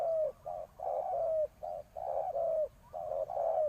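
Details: Decoy spotted dove used on the ground to lure wild doves, giving soft low coos in quick phrases, a short note followed by longer burry notes, repeated steadily through the stretch with no other clear sounds.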